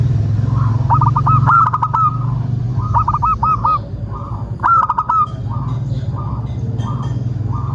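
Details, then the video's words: Local zebra dove singing, played to coax other doves into song. Bubbling, stuttered cooing phrases repeat in bursts, with fainter echoing coos trailing after them and low rumbling noise underneath. "Perkutut loka gacor pancingan agar burung perkutut BUNYI dan GACOR"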